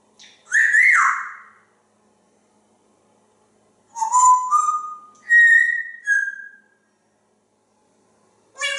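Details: Captive male African grey parrot at home in Texas, vocalizing by a window on a nice day: clear whistled notes, a rising slur then steady tones stepping up and down, between brief raspy syllables.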